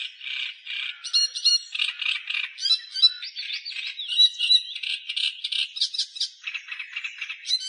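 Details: Australian reed warbler delivering continuous song: dense, grating chatter of rapidly repeated harsh notes, interspersed with sharp high whistled accents throughout.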